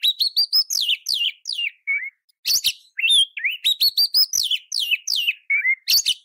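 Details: Oriental magpie-robin song used as a training recording for other magpie-robins: rapid run of loud whistled notes, sharp rising and falling slurs and harsh buzzy bursts, with a short pause near two seconds, clean background.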